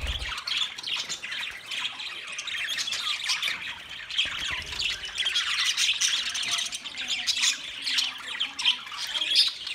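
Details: Budgerigars, described as Australian parrots, recorded on 13 March 2024, giving a dense continuous chatter of warbling chirps and squawks with several birds overlapping throughout.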